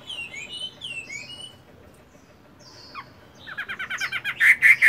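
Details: Chinese hwamei kept in a cage, moulting, at morning voice practice; faint scattered whistles, then a loud rapid run of repeated sharp notes building at the end.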